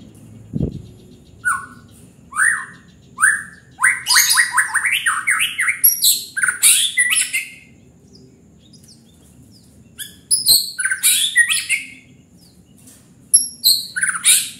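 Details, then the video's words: White-rumped shama singing in repeated bursts of descending whistles and chattering trills, phrases tumbling quickly, with short pauses and an occasional sharp click between bursts. "Murai batu gacor"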